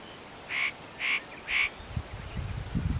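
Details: Spotted nutcracker at Matsunokisawa-no-kashira, unaware of the observer while preening and calling: three harsh, grating notes about half a second apart, followed by low rumbling background noise.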